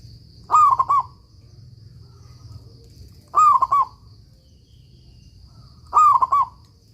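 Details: Local zebra dove singing energetically, kept as a master recording to teach other doves that have stopped singing; three short cooing phrases near the middle pitch, each a quick run of soft rolling notes, about every 2.7 seconds, faint background hum.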